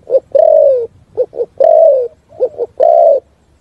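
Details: Spotted dove singing a complete thúc gù song in forest, three phrases each of two quick short coos and a long smooth falling coo, strong and near, little background sound.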